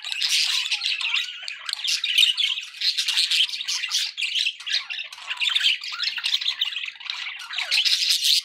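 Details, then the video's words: Several pet budgerigars chattering without pause: a dense, scratchy warble of squeaks, clicks and short whistles, with louder bursts every second or so. "budgie sounds for pet birds"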